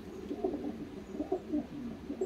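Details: Paired Sion racing pigeons in a loft on a cloudy, rainy, unusually warm (about 65°F) December 17, a hen preparing to lay, coo softly back and forth, low rolling coos overlapping every half second, faint indoor hum.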